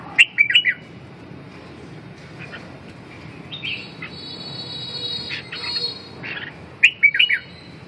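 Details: Red-whiskered bulbul opening and closing with rapid clusters of bright, slurred chirps; in between come scattered softer notes and a steady, thin tonal hum lasting a few seconds.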